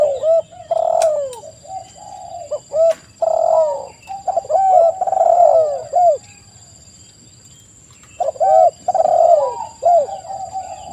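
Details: Spotted doves singing in chorus, clusters of soft coos with downward-curving endings, a quiet pause in the middle, then another burst of overlapping coos over a continuous high whine.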